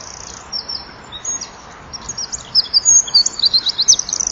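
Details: Eurasian wren singing at dusk in winter at a nest-box camera, flapping its wings: a faint start building into loud, fast, high-pitched trilled notes and rattling sweeps, densely packed toward the end.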